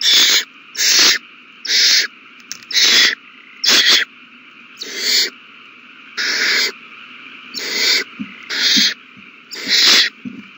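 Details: Owlets eating well at their nest on 27 March 2020, giving rhythmic rough hissing bursts about once a second, fairly even in length, over a continuous hum.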